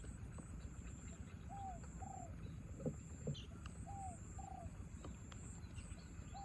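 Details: Spotted dove matched against a wild bird in the rain: two soft two-note coo phrases roughly two seconds apart, faint against constant rain hiss, with a few sharp drips or taps.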